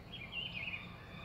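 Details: At dawn on 22 January 2022 in Álvaro Weyne, Fortaleza, Ceará, Brazil, a Rufous-browed Peppershrike (pitiguari) gives a single clear whistled phrase, wavering at mid-high pitch for about half a second, over a steady low rumble.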